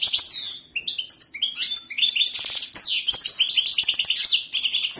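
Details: European goldfinch song: fast liquid twitters, tinkling notes and short buzzy rattles run together almost without pause, bright and high.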